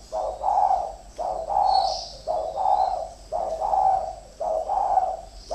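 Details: Spotted doves, two decoy birds competing, deliver rolling, mellow coos in back-to-back phrases roughly once a second, each phrase opening with a short note and swelling into a longer throaty coo; a soft high chirp is heard once.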